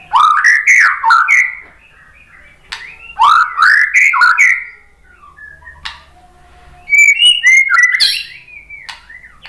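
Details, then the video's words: White-rumped shama singing, a recording used to draw other birds into full song: three loud bursts of rich, rising whistled phrases, each followed by a quiet gap with faint soft notes. "OCEHAN MURAI BATU"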